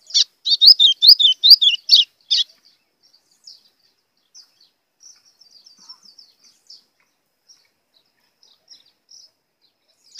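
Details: White-throated seedeater delivering a blue grosbeak-style song meant to provoke rival birds: a loud, rapid run of sharp, high, rising and falling notes lasting over two seconds, followed by scattered faint high twitters.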